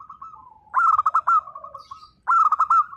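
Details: Vocal local zebra dove gives a song style aimed at provoking silent birds to reply: two loud stuttering coo phrases of rapid broken notes, separated by a gentle string of softer coos from another dove.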